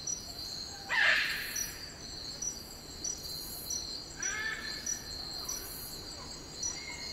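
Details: Wild eclectus parrots, Cape York rainforest, Australia: a loud harsh screech early on, later a rough stuttering series of notes, all over a persistent high insect hum.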